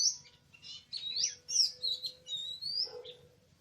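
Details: Oriental magpie-robin in a forest during a bird-trapping outing on 24 March 2017: a run of loud high whistles and twisting, slurred notes, some rising, with a faint low hum and a steady tone underneath.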